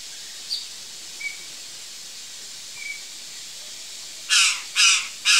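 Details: Curl-crested jay at backyard fruit: a few faint, thin short notes over steady hiss, then three loud, harsh, buzzy caws in quick succession at the end.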